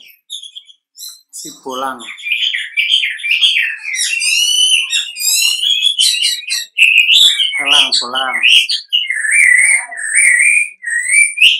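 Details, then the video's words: Wambi song played as a lure so other wambi answer back. A varied stream of whistles and dense chatter is broken by two buzzy, harmonic rasping bursts. It ends in looping slurred whistles with a faint high thin tone above. "pancingan wambi gacor, wambi manapun bakalan nyaut"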